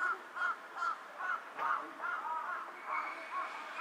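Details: Carrion crow perched on a power line, bowing as it calls: a rapid run of about nine short, harsh caws, closely spaced and slightly uneven, with faint background hiss.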